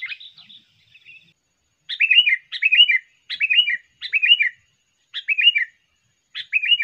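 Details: Sooty-headed bulbul phrases for luring birds: a soft opening note, then loud short bubbly phrases of falling notes, each about half a second, repeated six times at fairly steady intervals.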